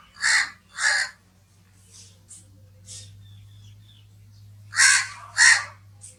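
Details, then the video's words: Pairs of rough, grating crow caws open and close the recording, with a few fainter distant caws and a steady low hum in the quiet middle stretch. "crow sounds"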